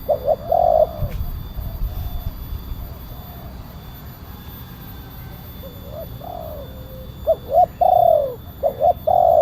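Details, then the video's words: Spotted dove, a loud-voiced cooing bird used as a lure to call wild doves down, giving short coos at the start, then a long quiet stretch with steady low hum, then a few more bursts of coos near the end. "Suara pemanggil burung tekukur kuk 1 penguku suara besar"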